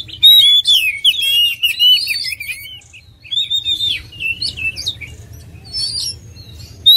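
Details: Oriental magpie-robin delivering dense, jumbled whistled phrases and chirps, loud at first, then softer scattered notes, ending with one sharp clear whistle.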